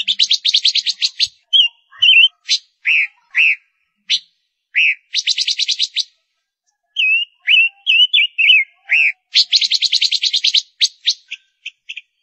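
A female ngũ sắc bird sings bursts of rapid, buzzy trills mixed with short, high, slurred whistles, pausing briefly between phrases. No other sounds are heard.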